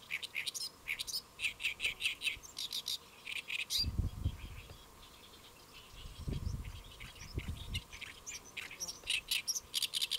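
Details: Great reed warbler on a lotus leaf in Saemangeum, Gimje, South Korea, July 2024 midday; rhythmic bouts of loud grating, repeated chirps separated by short pauses, with low rumbling noise in between.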